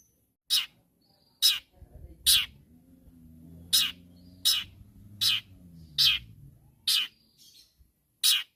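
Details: Long-tailed shrike calling to rivals with isolated loud, harsh, rasping screeches about once a second, over a faint low hum in the background.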